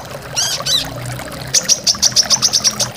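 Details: Brown-throated sunbird, locally korlap or kolibri kelapa, in a recording made to train caged birds to sing. Two buzzy high bursts come first, then a fast run of thin, very high notes repeated about five times per second.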